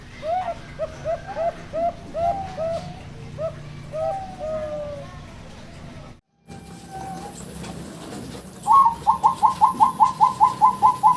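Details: Zebra dove call used as a trapping lure, local and Bangkok birds: faint short cooing notes in a series, a brief gap, then a loud run of about ten quick, evenly spaced clipped notes.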